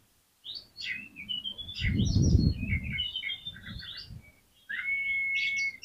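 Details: Oriental magpie-robin song played to coax other magpie-robins into singing: busy twittering and varied high notes over a low rumbling background, ending with a long, steady, clear whistle after a short gap.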